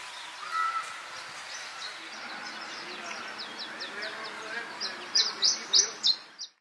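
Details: Canary Islands chiffchaff (nominate canariensis) on Gran Canaria, Spain, November 2022: a run of quick, high, downslurred notes, about three a second, swelling louder near the end over a low background murmur.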